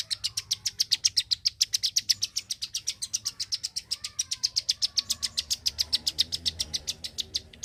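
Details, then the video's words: Energetic Klik-klik bird song made of crisp, high-pitched ticking notes repeated rapidly and evenly, roughly four per second, over a quiet background. "BURUNG KLIK KLIK SUPER GACOR,TEMBAKAN SUARANYA BIKIN MELONGO"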